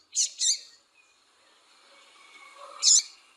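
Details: Female double-collared seedeater calling and chirping to warm up a male's singing: a quick pair of high, buzzy chips, a faint soft pause, then one more sharp chip.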